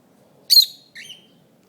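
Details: Territorial pet lovebird that dislikes other birds: a loud shrill chirp followed after a short gap by a thinner, lower whistled note, two high-pitched calls in a quiet indoor setting.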